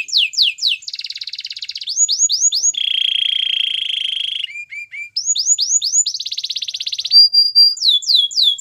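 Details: Canary singing for training: sweeping repeated whistles alternate with dense buzzy rolls and a long low rattling trill, a few clipped notes, then more whistled sweeps and a thin sustained tone.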